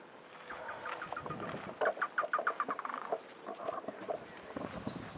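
Chotoy Spinetail giving a harsh, chattering run of about a dozen quick clipped notes; a thin high whistle from another bird comes in at the end.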